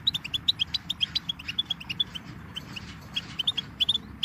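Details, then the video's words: Goldfinch twittering: a steady run of short, bright, high chirps repeated several times a second, some notes doubled, over a low rumbling background. "Birdsong Motivation Let Goldfinches Inspire Your Success"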